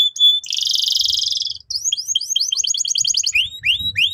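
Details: Lure song of a canary used to train youngsters: a clear whistled note, then a rapid buzzing roll of about a second, followed by a string of quick rising chirps.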